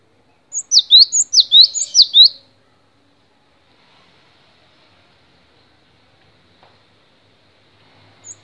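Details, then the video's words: Cinereous tit tutoring song: a short burst of four loud whistled falling-rising phrases, then several seconds of near silence with a faint high note at the end. "MASTERAN GELATIK BATU DURASI PANJANG"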